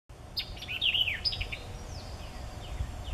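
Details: White-eyed Vireo at Mason Farm Preserve, Chapel Hill, North Carolina, on 3 May 2014. It gives a quick, emphatic burst of sharp, slurred notes, then a few fainter falling whistles, over a low background rumble.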